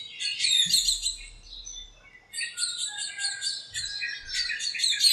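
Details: A busy backyard lemon tree full of birds on a sunny morning; rapid, continuous high chirping and twittering from several birds at once, with a faint low thump.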